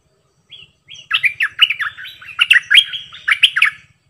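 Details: Decoy bulbul singing a lively phrase of jumbled, slurred whistles and chirps that rise and fall quickly, lasting about three seconds in a quiet setting.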